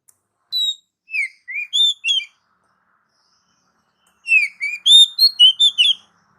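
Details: Oriental magpie-robin song for stimulating pet birds: two phrases of short varied chirps and slurred whistles, the second faster and richer, with a clean quiet background.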